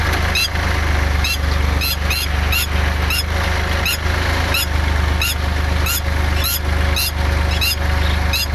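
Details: A female Red-wattled lapwing defends her eggs in a rice field in Kamphaeng Phet, Thailand, on 11 May during ploughing. She gives shrill, sharp alarm notes, repeated about twice a second, over the loud, steady rumble of a tractor engine.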